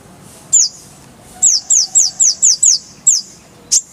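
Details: Van Hasselt's sunbird giving a loud series of bright, downslurred high whistles, about six in a rapid row after a single opening note, with one more whistle and a final sharp chip, from a clear-voiced full-fill tutor recording.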